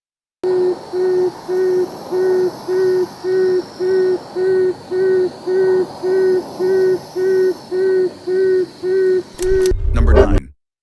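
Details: A tawny frogmouth (Podargus strigoides) gives a long, even series of soft, low 'oom' notes, nearly one per second, ending in a brief rustling clatter.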